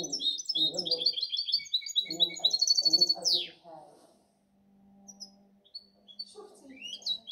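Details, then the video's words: European goldfinch cross, 2019–2020, pours out rapid high twittering and trills ending in a buzzy falling sweep, followed by sparse faint notes and a low steady hum, with Spanish talk during the song. "Mi mixto de jilguero"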